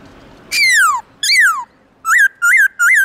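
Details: Morning song of a black-throated laughingthrush in 'forest voice' style: two long descending whistles, then three short, bright, up-down notes about every 0.4 seconds, loud and ringing over a quiet background.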